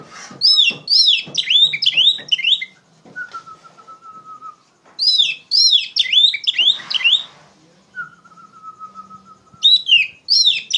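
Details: Oriental magpie-robin belting out trigger song for tutoring young magpie-robins. Energetic bursts of sharp, tumbling whistles repeat every few seconds, with a long, steady lower whistle and some rustling filling the pauses.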